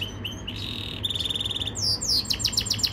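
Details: Yorkshire canary training song: short high whistles, then a fast even trill on one pitch, breaking into rapid descending sweeping notes, over a low background hum.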